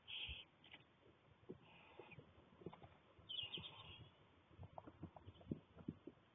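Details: Barn owl (Tyto alba) chicks, six young owlets looking fairly newly hatched with little fluff, in daylight on 1 May 2020: harsh, hissing rasps in three bursts, each under a second, over soft knocks and low thumps.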